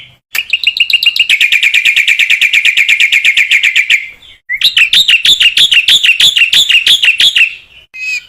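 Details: Black-winged myna singing vigorously to encourage other mynas to sing: a long, rapid, high trill of evenly repeated notes, a short gap, then a string of bright, looping chirps about twice per second.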